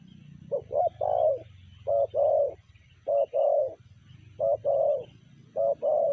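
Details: Tekukur (spotted dove) in the sanji cooing style: a quick double note leading into a long coo, then four more short-long coo pairs at steady intervals, soft hum underneath.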